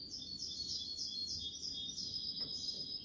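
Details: Kubiya Malaga style goldfinch song, continuous high twittering and trilled notes heard through a noticeable background hiss and low rumble.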